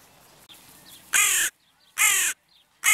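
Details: Crows on an evening: three loud, harsh, buzzy caws, each about a third of a second long, with near silence between them and faint chirps in the background.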